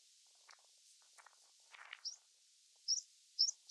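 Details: Meadow pipit on the moor giving thin, high, squeaky 'tsip' notes, single or in quick pairs, getting louder near the end, over faint rustling.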